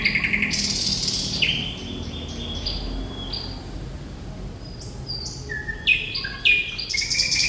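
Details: Thrush nightingale, locally called sikatan londo, singing steadily in full voice: clear whistled notes near the upper range, some flat and some slurred, with abrupt pitch steps, broken by short bright buzzy bursts at the start and the end.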